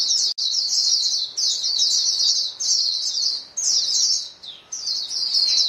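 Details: Members of a white-eye flock calling together, used to set caged birds singing: high, chattering bursts about a second long, separated by short pauses, repeated five times.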